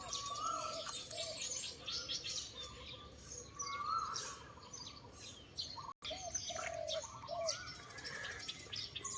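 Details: Early-morning chorus of several birds at a temple, a natural setting: rapid bright chirps and short whistled phrases overlap continuously, with repeated slurred mid-pitched notes and a brief gap partway through.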